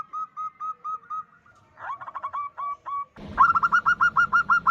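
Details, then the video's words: Female zebra dove of a local strain calling a male, recorded as a lure: a slow run of seven short clear notes, a blurred quicker burst, then nine louder rapid notes over background hum. "Suara Perkutut Betina Memanggil jantan"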